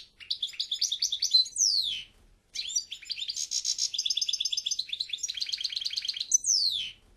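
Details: European goldfinch singing two rapid twittering phrases of liquid, tinkling notes, each ending in a long downward-slurred whistle, with a short silent break between them; no other sounds.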